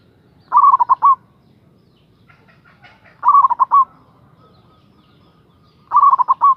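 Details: A local zebra dove calling a rival gives three bubbling coo phrases, each about 2.7 seconds after the last. There is faint scattered rattling between the first two phrases.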